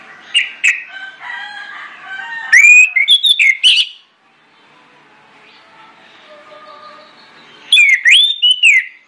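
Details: Orange-headed thrush singing loud, persistent song, used as a lure to trigger other birds to sing: bursts of bright slurred whistles with high sharp notes, a quiet gap, then another loud whistled phrase.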